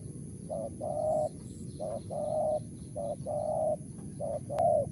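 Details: Wild spotted dove with a crisp 'mersik' voice repeating two-part coos, a brief note then a drawn-out mellow one, four times in quick succession, against low steady background noise and a sharp click near the end.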